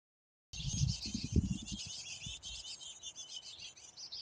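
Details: A female black-capped chickadee gives a harsh, breathy, snake-like hiss lasting several seconds as she fights back against a house sparrow, with low thumps and rumbling beneath it.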